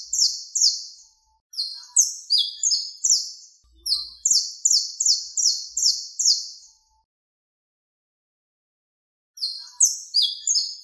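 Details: A saffron finch (Sicalis flaveola) sings a contest song used to teach other birds, with bright, high chirped notes in quick runs, about two or three per second, in phrases of several seconds broken by pauses.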